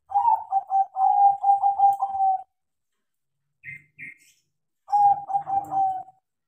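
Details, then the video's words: Zebra dove of a crossbred line, singing actively after training. Two long phrases of fast, stuttering, trilled coos end on held notes, with two short higher notes in the pause between them. "PERKUTUT CROSSING GACOR KARENA DIAJARI"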